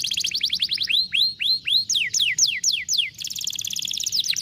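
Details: Canary song of the 'vara de pescar' style, used to stimulate a lazy canary to sing: quick rising whistled notes, then repeated falling slurred sweeps about three per second, closing in a fast, dense high trill.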